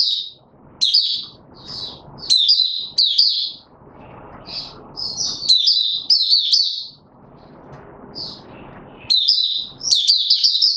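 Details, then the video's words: Caged white-eye in song while being pushed on form: short high twittering phrases start and stop throughout, with gaps of low murmuring noise between bursts. "Mata Puteh - Raja V2 Pushing him on form buka sing"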